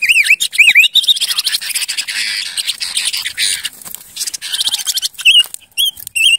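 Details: Silver-eared mesia (Leiothrix argentauris) singing. Loud wavering whistled notes open the phrase, followed by fast, harsh chattering, then several clear, inflected whistles repeated toward the end.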